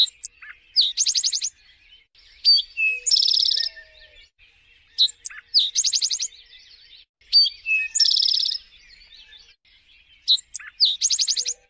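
Eastern Towhee singing its bright phrase again and again: a couple of sharp, clear notes followed by a fast, ringing trill, repeated every few seconds.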